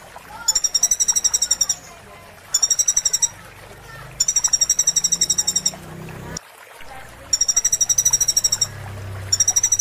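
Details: Sunbird song used to train caged birds: repeated bursts of very high, fast metallic trills, each about a second long with short gaps, over soft background voices and low rumble.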